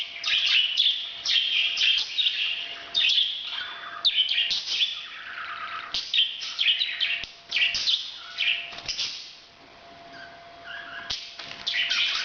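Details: Parrot during breeding, chattering almost nonstop in harsh, grating bursts mixed with shrill squeaks, the stream pausing briefly near the end before resuming; a faint steady hum lies underneath.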